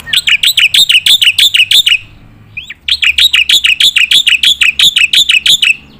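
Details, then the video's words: Black-winged myna in full "gacor nembak" song with filler phrases, used to train competition birds: rapid bright chirps repeated about three per second for two seconds, a short pause with a single rising note, then another long burst. "jalak putih gacor full nembak isian untuk masteran burung lomba"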